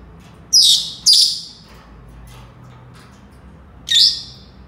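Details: Senegal parrot with two quick, loud, shrill calls back to back, a pause of about two and a half seconds, then one more similar shrill call; faint hum underneath.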